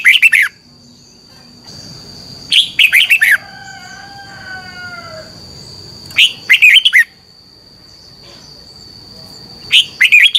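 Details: Red-whiskered bulbul competition song at morning, used as a decoy to excite other birds into singing. Four quick chirpy warbled bursts, with faint drawn-out whistled slides between them and a steady high electronic hum throughout.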